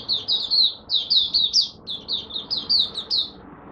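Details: A Malaysian Oriental white-eye in minor moult and off form on 27 July 2023 sings a rapid, jumbled run of high twittering phrases, about three short bursts each second, with soft room hiss underneath.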